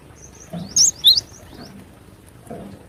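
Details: Cinereous tit singing in the wild, sharp 'besetan' style: two loud, high, upslurred whistles a quarter second apart, with faint similar notes trailing behind and low background murmur.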